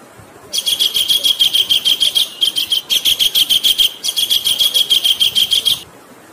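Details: Kingfisher calls from a training tutor recording set over flowing water: a fast string of shrill, piercing high notes, about three per second, in three bursts separated by short pauses, above a steady low hiss of running water.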